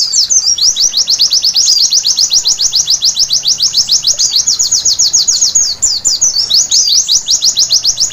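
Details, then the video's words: Night song of a white-eye: rapid, steady stream of high, thin downward-slurred chirps, roughly three to four notes each second, with a few tangled twittering notes near the end. "Terapi Pleci Malam Hari Bikin Gacor seketika!!!"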